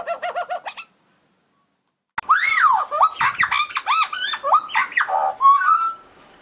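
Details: Unusual robot-like sounds from a magpie: a short buzzy pulsed burst, a pause, then a loud run of looping, bending whistles and harsh rattling notes ending in a thin rising whistle.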